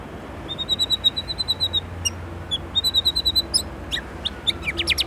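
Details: White-rumped shama from Indonesia singing a filler-rich song: a long series of thin, high piping notes repeated rapidly, a pause, another thin run, then sharp clicks and scratchy high chatter.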